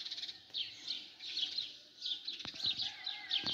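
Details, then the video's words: Sparrows at morning calling in short bursts of bright, high chirps, quieter and more spaced than a full chorus, broken by a few sharp clicks or knocks. "عصافير الصبح"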